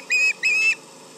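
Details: Osprey yelling at a tractor near the Charlo nest, 11am MDT on July 31, 2019: a pair of long, even, shrill whistles, the second slightly longer, with steady low background noise.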